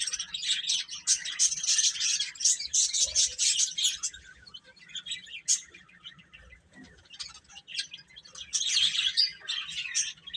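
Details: Young chickens peep in a busy, high-pitched flurry for the first four seconds, fade to sparse scattered chirps, then swell into another loud cluster of shrill calls toward the end.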